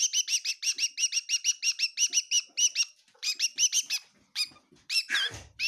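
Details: Rapid high chirps from a bird in a kitchen at Tseminyu, Kohima, about one per tenth of a second at first, then sparser, ending in a harsher, scratchy squawk-like burst.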